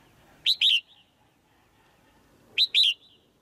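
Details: Two sharp paired chirps from a caged female white-eye, each note high and falling, about two seconds apart, given to drive the male to louder song against a quiet background.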